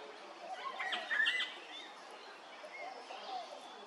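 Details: Little friarbird at Hervey Bay, Queensland: a burst of harsh, scratchy, jumbled notes in the first second and a half, then quieter scattered chatter over a busy background of other birds.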